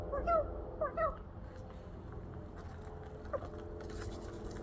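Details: Rook perched on a wall, pecking and giving chirping, squawking noises: two quick pairs of short, bending chirps within the first second, a faint lone chirp near three seconds, over steady low background noise.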